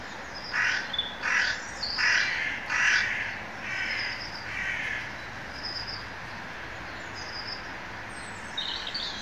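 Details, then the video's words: A bird calling in the woods gives about six harsh, hoarse caws in the first half, spaced under a second apart, followed by fainter thin high notes from other birds. "Birds singing in the woods"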